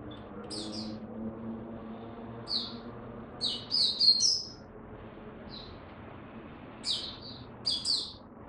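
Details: Caged oriental white-eye (mata puteh) singing during cold rainy weather: scattered short high chirps and twittering phrases in bursts, with quiet pauses between and faint low background hum.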